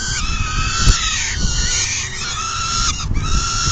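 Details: Peregrine falcon nest feeding, afternoon of 10 June 2022, one bird leaving when full; continuous, slightly wavering cries that dip and rise near the end, over steady deep rumbling and a sharp click.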